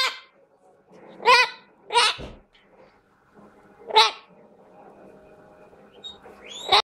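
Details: Severe (chestnut-fronted) macaw gives harsh, raspy screeches in about four short bursts at irregular intervals, grating and broadband, with a faint background murmur between them.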